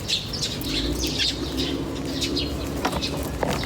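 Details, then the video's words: Birds chirping outdoors in nature: scattered high, short chirps and twitters throughout, over a steady low hum in the background. "The chirping of birds in nature is very relaxing"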